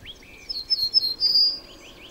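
Cretzschmar's bunting giving a short, high series of thin ringing notes ending in a longer sustained whistle; fainter chirps from another bird are heard around it.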